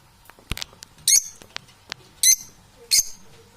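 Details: Parrots giving short, sharp, high chirps with brief pauses between them, plus faint clicks and soft rustling in between.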